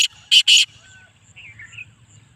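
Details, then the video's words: Black francolin of a speeder chakri type: two loud, rasping notes in quick succession, then faint chirps and a low background hum. "Kala Teetar ki Awaz"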